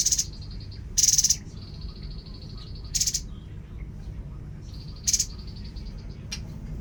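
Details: Tepus babbler repeating rasping, buzzy bursts roughly every two seconds, linked by long, even, high-pitched trills, with a sharp click near the end and a low hum beneath.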